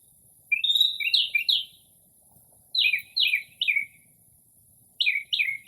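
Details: Northern mockingbird at midnight in early spring, mimicking other species: clusters of three or four quick downslurred chirps repeated in bursts with pauses between, clear against a still, quiet night.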